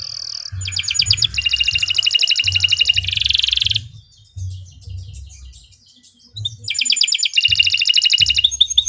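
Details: Canary in long, continuous song used as a master recording for training caged birds: fast buzzy rattling trills alternating with sustained high notes and a rough churring section, with a low thumping sound beneath.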